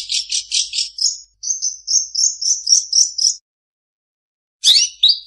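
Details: Long-tailed shrike mimicry: a rapid series of buzzy pulses running into a thin repeated trilling phrase, a pause, then a harsh chirped burst.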